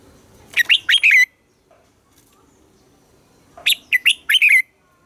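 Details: Red-whiskered bulbul morning song in a double-note, mature wild-bird style, used as a lure to train captive birds: two rich warbled phrases of four or five quick notes each, about three seconds apart, with quiet low background noise between.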